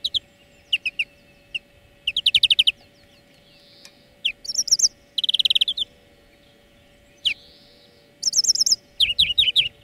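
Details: Twittering greenfinch song made to teach singing to other birds. Scattered chirps and short rapid trills come in irregular clusters across ten seconds, with a few brief buzzy notes, against a steady faint hum.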